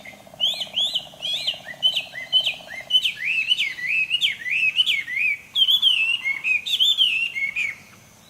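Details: Chinese hwamei singing in early morning: a long, continuous run of rich, looping whistles sliding up and down, varied phrase after phrase without pause, with a low buzzing hum underneath during the first three seconds.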